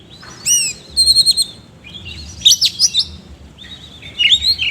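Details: Oriental magpie-robin giving energetic song with rough filler notes ('isian kasar'): a high downslurred whistle, then a quick series of clipped repeated notes, a burst of harsh chattering, and rising whistled phrases at the end.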